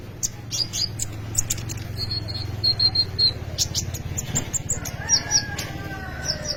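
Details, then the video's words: Kolibri ninja sunbird in lively song, a recording meant as a lure and tutor for young birds. Quick high clicks lead into a run of thin repeated whistled notes, then sharp chips, over constant low rumbling background noise. "kolibri ninja gacor cocok untuk pancingan atau maateran burung bahan"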